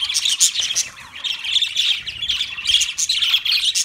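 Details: Budgie warbling, a continuous twittering chatter of high whistled and buzzy chirps with small rises and falls, barely pausing.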